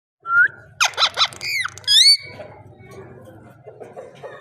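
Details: Parrot talking and calling: a short rising whistle, then a run of three loud harmonic squawks and two bright, sweeping whistled notes, followed by quiet low hum.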